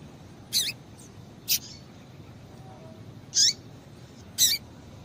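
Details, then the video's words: Female Double-collared Seedeater calling to excite and stimulate males: four short, high, sharp chips spaced about a second apart, some ending in a brief downward slur, over quiet background hiss. "Piado de Fêmea de Coleiro Com Piado de Fêmea de Coleiro Quente para Esquentar Coleiro tui tui"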